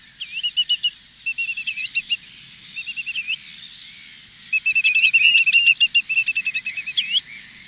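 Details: A flock of spotted redshanks at Minsmere gives flight calls in medium close-up: sharp whistled notes and quick trills overlapping in bursts, with gulls and terns faint in the distance.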